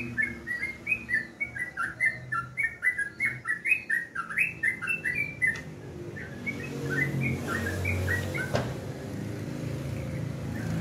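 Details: Sooty-headed bulbul singing in the morning, fast bubbly whistled notes for about five seconds, then softer, more distant notes half-buried under rising broadband noise.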